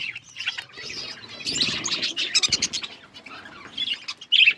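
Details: Several budgies chirp while eating: quick, bright twittering notes overlap in a busy jumble, with soft rustling beneath and a loud sharp chirp burst near the close.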